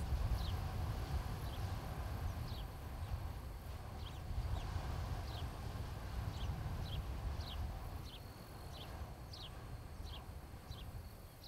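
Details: Osprey at a nest cam near Charlo, Montana, on 26 July 2018 in late afternoon, one of a nesting pair: faint, short, high descending chirps repeated about three times a second, over a steady low rumble of wind or traffic.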